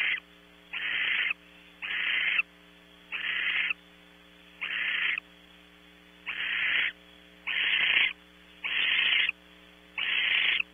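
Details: Barn owls at the nest before 0600 as the male delivers more prey, Audubon Starr Ranch, California; loud rasping hiss-screeches of about half a second to a second, given in a loose series about every 1.3 seconds.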